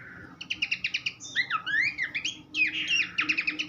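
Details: For training songbirds, a Horsfield's babbler sings a quick series of evenly spaced chipping notes, then looping whistled slurs, followed by a dense trill and more repeated chips.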